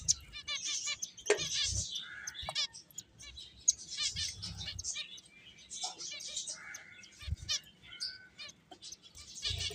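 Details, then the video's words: Several playing finches chirp almost without pause: sharp high tweets, brief buzzy trills and a few short whistled notes, mixed with light knocks and rustling. "Cute Birds Chirping Sounds | Beautiful Finches Playing"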